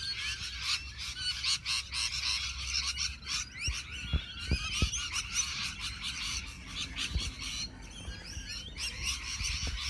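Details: A dense flock of rainbow lorikeets chatters in a tree: a continuous din of shrill, screechy chirps and rasping squeals overlapping without pause, with a low rumble beneath.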